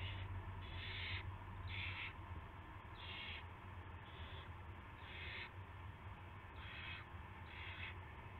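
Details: Owl at a nest at dawn on 9 March 2016, with prey, a rat, brought in; a series of eight short, raspy hissing bursts at irregular intervals of about one second, over a low droning hum.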